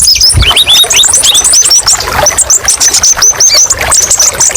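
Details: Brown-throated sunbird (kolibri ninja) singing a training song with many sharp 'tembakan' variations: dense, rapid, high thin chirps and short rising whistled notes, tumbling continuously without pause.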